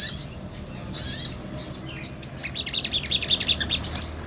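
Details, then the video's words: Sunbird, a small nectar-feeding bird, singing in energetic ngobra style, recorded live as tutor song for songbirds; high thin chirps and a sharp buzzy burst, then a quickening series of short bright notes. "MASTERAN SOGON NGOBRA"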